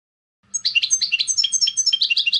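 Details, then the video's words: Goldfinch song of about two seconds: a lively, jangling stream of short chirps and slurred notes at a brisk pace, with a faint low hum behind. "Clean Song of the GOLDFINCH | Chant chardonneret"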